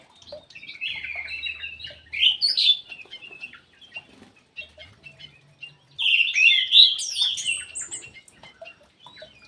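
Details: Ground thrush singing actively inside an aviary: two loud bursts of warbled, squeaky whistles a few seconds apart, with scattered faint chirps and low hums between them.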